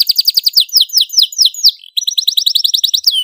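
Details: Canary, a domestic bird, delivering a loud tutor song: a string of quick downslurred whistled notes, a short break, then another fast run of bright slurred notes.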